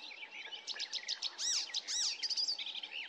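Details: Icterine Warbler singing a fast, varied jumble of high chirps, sharp upslurred and downslurred whistles and chattering notes, about two per second, with faint background hiss; Løten, 2024.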